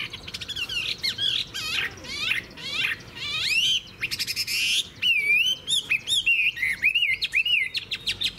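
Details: Chinese hwamei, an adult taken from the wild, noted for its fine, lasting song and fig-leaf tail. Dense rapid warbles and sweeping slurs come first, followed by a run of clear whistled notes that wander up and down.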